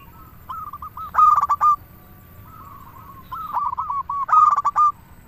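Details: Zebra dove of a local strain, recorded as a lure to stimulate other doves into singing; two phrases of quick, rattling coo notes that swell into loud, ringing rolled bursts, separated by quiet murmuring.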